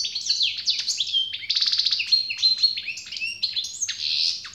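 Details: European goldfinch singing: a fast, liquid twitter of tinkling and buzzy notes, with a run of rapid rattling trills in the middle, all high-pitched and continuous, over a faint low hum.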